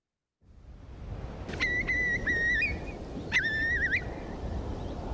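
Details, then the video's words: Eurasian Curlew, a huge wader in massive decline, seen in winter, gives two long, clear whistled calls, each wavering and ending in an upward lilt, over a steady rush of wind or surf. "Curlew call"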